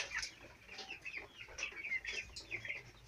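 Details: Four-week-old chicks kept on a farm: a few clear, high peeps, several sliding downward, spaced irregularly about every quarter second, with soft low rumble behind.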